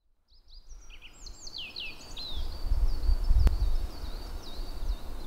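Thin, high Japanese yellow bunting notes, quick sliding whistles and short chips, over a steady low rumble of wind or distant traffic.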